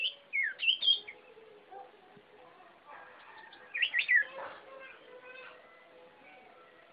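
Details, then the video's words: Sirpu bird singing: two bursts of quick, swooping, whistled chirps, one at the start and one about four seconds later, over low human talk. "Suara Burung Sirpu Gila"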